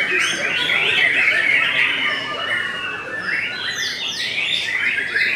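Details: White-rumped shama of the type called Belanda singing a dense, varied song of bright whistles and rapid chirps, with busy overlapping phrases against a steady hiss.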